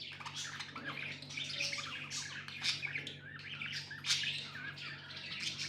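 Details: Budgies kept as pets chatter continuously, with bright sharp chirps and quick warbling notes tumbling over one another, and some louder accented peeps. A soft constant low hum sits underneath.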